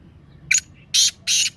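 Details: Loud grating call of a black francolin, the 'masti' calling voice: one short scratchy note, then two longer harsh, buzzy bursts spaced about a third of a second apart, against a low hum.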